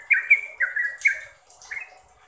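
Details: Sooty-headed bulbul, kept as a cage bird, singing short bubbly phrases: a few clear warbled notes near the middle pitch, given in quick bursts with brief pauses, then a softer closing phrase.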